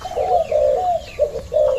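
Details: Caged male spotted dove, the father bird in a breeding cage, cooing: a few soft, low, slightly wavering coo notes in quick succession, with a short pause between them.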